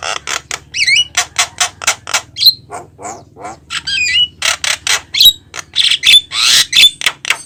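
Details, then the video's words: Javan myna in a lure recording, singing busily: scratchy squawks interleaved with looping whistled phrases and thin, piercing piped notes. "JALAK KEBO GACOR TERBARU!!pemikat burung jalak paling dicari"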